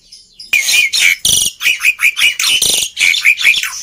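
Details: Black-winged myna, a lively, noisy singer, used to prompt quiet birds to sing; loud harsh chattering bursts with squawky, buzzy notes and short rising whistles, repeated in rapid pulses about four times per second.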